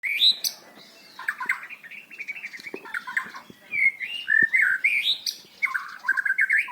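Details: White-rumped shama, a song bird kept for training, with varied loud song meant to teach young birds to sing without monotony: rich whistled phrases, warbles and buzzy notes shifting constantly in pitch, with short pauses between bursts.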